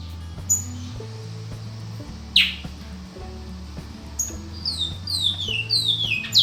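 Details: A bred Great-billed seed finch (Sporophila maximiliani) sings in a performance, giving clear, high whistled notes that slide downward, one early, then a quick run of descending phrases, over soft background music.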